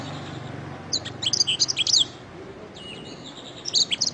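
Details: Canary training song: a short burst of high, bright chirps and trills, a pause with a faint whistled note, then another brief chirping burst, with low background rumble.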